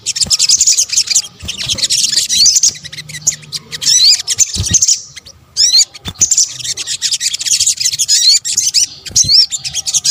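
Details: Sunbird (local Indonesian name sogok ontong, family Nectariniidae) lure-call combination: dense, high, thin chirps and sharp twittering notes tumbling over one another almost without pause, with a few short gaps between bursts.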